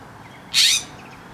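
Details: Western scrub jay on a windy day at a feeding tray: one short, harsh, raspy call, broad and scratchy in tone, standing out over a faint steady background.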